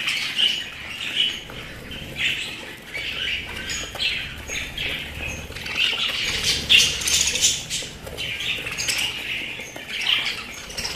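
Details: Pet budgerigars warbling and chirping in a busy flock, irregular bursts of scratchy notes with brief lulls between them.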